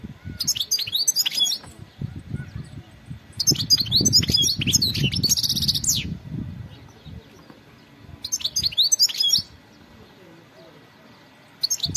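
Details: Wild European goldfinch, four bursts of lively, high-pitched twittering and buzzy trilled notes spread over twelve seconds with quiet gaps between, accompanied by intermittent low rumbling noise.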